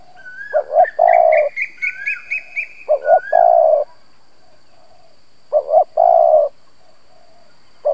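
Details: Decoy spotted dove cooing in the gù style to provoke wild doves. Three phrases: quick double notes leading into a long mellow coo. A rising series of bright chirps and slurred whistles from other birds plays over the first phrases.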